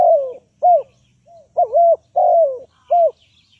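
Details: Spotted dove used as a decoy for trapping. Loud coos come in quick succession, some short and arched, others long and sliding downward. A faint high chirp of another bird is heard near the end.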